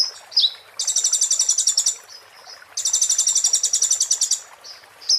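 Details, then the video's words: Oriental white-eye (konin) performing 'muntah beling' master song for magpie-robins: quick slurred chip, then two fast, rattling high trills over a second long, separated by soft twitters. "master konin muntah beling"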